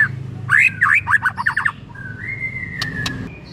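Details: Shama song used to goad another white-rumped shama into song: a burst of rapid looping whistled notes, then a long steady rising whistle with two sharp clicks, over a low background hum.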